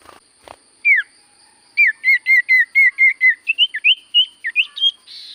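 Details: Common iora singing actively: one falling whistle, then a fast, regular series of about a dozen hooked whistled notes, several per second, turning into varied up-and-down warbling at the end.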